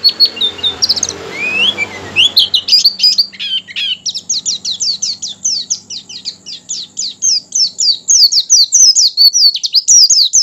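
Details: Oriental white-eye in full song, used to stimulate other white-eyes into singing: a long, energetic stream of high twittering notes, quick rising and falling slurs repeated several times a second, with a faint low hum early on.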